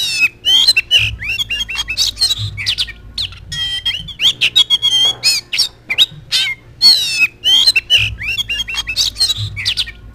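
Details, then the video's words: An Oriental magpie-robin (kacer) pours out a fast, varied song of bright whistles, chattering trills and harsh squawks with brief pauses over a faint hum; presented as a lure and tutor song for kept magpie-robins. "KACER GACOR!!! JOS TEMPEL LANGSUNG NGOBRA"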